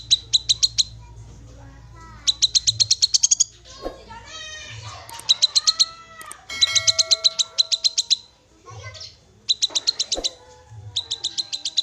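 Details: Black-capped babbler: several short bursts of rapid, high, clipped notes, mixed with sliding whistles, wavering mewing sounds and clicks from other sources.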